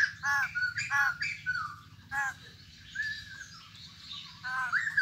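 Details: Newly acquired wild-caught white-crested laughingthrush kept in a cage, giving short bursts of harmonic, arched notes separated by brief pauses, with a low steady hum underneath.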